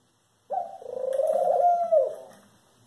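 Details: Eurasian collared dove giving one drawn-out, grating nasal call lasting about one and a half seconds, steady and low-pitched with a faint higher overtone near its end, against a quiet background.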